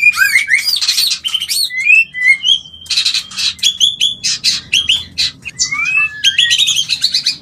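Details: White-rumped shama mating call meant to trigger breeding: dense, varied song of whistles, harsh rasping bursts and quick chattering notes, delivered in short pulsing phrases with brief gaps.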